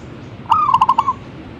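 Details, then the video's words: Zebra dove giving one lively song phrase: a held, clear first coo and then four quick, evenly spaced staccato notes, all mid-pitched and ringing. "gacornya perkutut ini"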